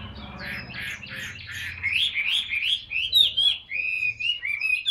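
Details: Tame caged Chinese hwamei, large bird, opening with harsh scratchy notes then breaking into loud clear whistled phrases that swoop up and down in quick succession.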